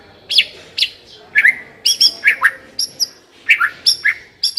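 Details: White-rumped shama song used to coax another shama into song: bright high whistles alternating with lower downward slurs, delivered in quick doubled and tripled bursts with short gaps.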